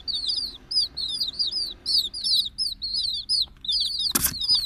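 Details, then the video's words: Chicks peeping in a dense chorus: high, thin, arched peeps repeated rapidly and overlapping from several birds, with a brief burst of rustling or wing flapping near the end. "The sounds of chicks"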